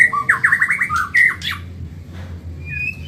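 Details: White-rumped shama, Medan type, recorded for training caged birds: rapid series of loud chopped whistled notes around one pitch, a sharp high accent, then quieter distant whistles over a low steady hum.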